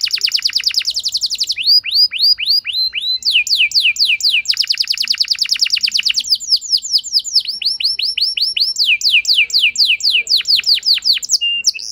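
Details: Canary song used as a lure to get a less eager bird to respond and sing at length: fast trills of repeated downward-sweeping notes, switching between rapid buzzy rolls and slower looping phrases, continuous throughout.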